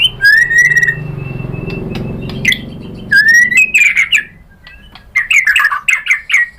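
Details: White-rumped shama song used as a lure to make other shamas answer and get worked up: clear whistled notes, some rising, then quick slurred whistles and a run of buzzy chattering phrases, with a low hum behind.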